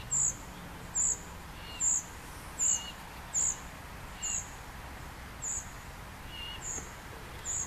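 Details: Young common cuckoo being fed by a great reed warbler, giving thin, high, hissing begging notes repeated roughly every 0.8 seconds, about ten in a row, some with a fainter lower note beneath.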